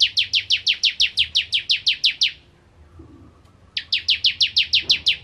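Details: Bar-winged prinia singing vigorously, 'nembak ngentrok' style: a fast run of about fifteen sharp, high, downslurred notes, a brief pause, then another rapid burst of similar notes over quiet low hum.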